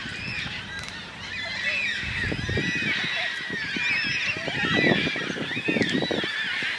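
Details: Yellow-tailed black cockatoos in a huge flock keep up a steady chorus of overlapping wailing, swooping calls, with low thumping and rustling handling noises close to the recorder.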